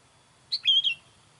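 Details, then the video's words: A single sooty-headed bulbul phrase, played to lure wild bulbuls, opens with a crisp high chip and then slides into a clear, whistled warble that dips at the end. "SUARA KUTILANG MANGGIL KUTILANG LIAR"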